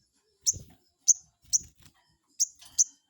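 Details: Crested jay lure call meant to provoke a rival into answering: sharp, high, downward-slurred notes given in irregular bursts, five within three seconds, with faint low thumps beneath.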